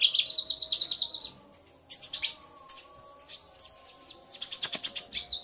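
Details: Common iora male, excited by a female's call, in a male-female exchange: opens with a quick series of even whistled notes, falls silent briefly, then gives scratchy bursts and a sharp rapid trill.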